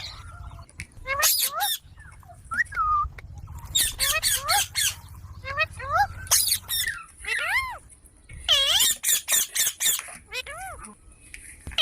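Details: Young Indian green parrot chattering in quick clusters of piercing harmonic squawks and arched whistles, several bursts in a row with brief breaks, faint low hum beneath.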